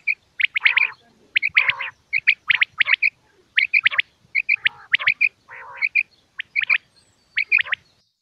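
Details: Common quail calls from Pakistan, male and female sounds played by hunters to lure quail: crisp three-note bursts repeated in quick series, with lower, rougher notes mixed between them on a silent background.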